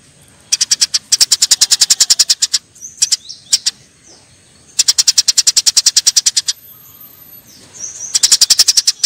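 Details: Eurasian tree sparrows fighting: harsh, high chirps fired in fast even bursts of about ten to fourteen notes, separated by short pauses with a few thin squeaky notes and faint rustling between bursts.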